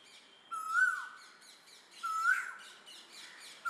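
Asian koel giving loud, clear ko-el notes, each rising then dropping, repeated about every one and a half seconds, with thin chirps from other birds behind.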